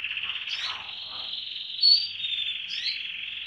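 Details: Canary song from birds of assorted colours: one continuous rolling trill holds a fairly level pitch for several seconds, with brief higher slurred notes and a bright short whistle rising above it.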